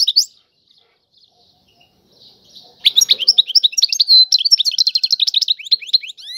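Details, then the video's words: A sharp European goldfinch note, a quiet spell of over two seconds, then a sustained Tiwawati song phrase of rapid high twittering, trills and upward flicks running to the end. "اعظم تغريد الحسون طيواواطي"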